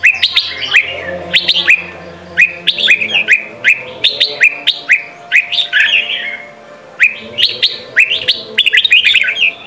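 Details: Red-whiskered bulbul song, Sông kon style, for training young birds. Cheerful chirpy phrases of clipped upswept notes repeated in groups, with a brief quieter gap midway before the lively bursts resume.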